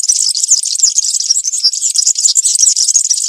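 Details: European serin, country-style 'campero' song recorded in forest for teaching juveniles: an unbroken, very high, rapid tinkling jingle, dense and scratchy, filling the whole few seconds.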